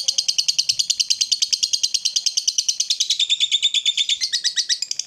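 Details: Lovebird in the long 'ngekek' trill style, played to coax silent or lazy lovebirds into singing: a rapid, unbroken chatter of high, squeaky pulses, about three per second, steady throughout with no other sounds.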